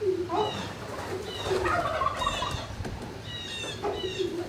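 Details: Turkeys calling in a barn on 26 March 2019, midday: overlapping low warbling calls and higher squeaky notes follow one another in quick succession, with a constant low hum of barn equipment.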